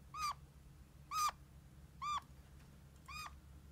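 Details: Kakariki, a pet red-crowned parakeet, making four short plaintive squeaks roughly once a second, the last one softer. The notes are nasal and mew-like over low background hum.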